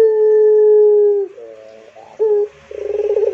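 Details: Pelung-type Barbary dove in full cooing: a long, smooth, level low coo held over a second, then quieter wavering notes, a short loud coo, and a rapid pulsing, bubbling roll at the end.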